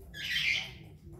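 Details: A pet parrot in destructive mode gives a single harsh, raspy squawk lasting about half a second, swelling then fading, over low room rumble.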